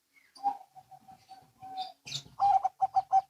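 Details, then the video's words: Zebra doves, local and Bangkok, responding to each other. A soft, slightly muffled run of coos and a held note comes first, then a louder rhythmic series of clipped coos over light background noise. "Perkutut Lokal & Bangkok Bunyi Saling Bersahutan"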